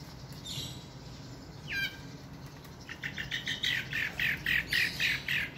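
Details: Long-tailed shrike, a skilled mimic said to copy chickens, geckos and other birds: a quick falling whistle, then a burst of harsh, scratchy chattering notes, about four a second. Faint high hiss behind.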